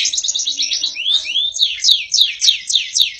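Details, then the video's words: Champion canary in vigorous song: a quick trill, two rising whistled sweeps, then a regular series of loud downward-slurred notes about three per second, each with a sharp high click. "Burung kenari gacor berprestasi."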